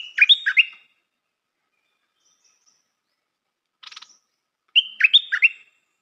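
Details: Two bubbly whistled phrases from a Stripe-throated bulbul used as a decoy, several seconds apart, each made of quick notes sweeping up and down, with a brief buzzy rattle between them.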